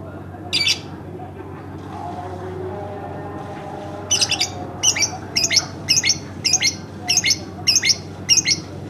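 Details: Pet lovebird kept at home: one harsh squawky chirp, a pause, then a steady series of loud, buzzy, shrill chirps repeated about twice a second over a faint low hum.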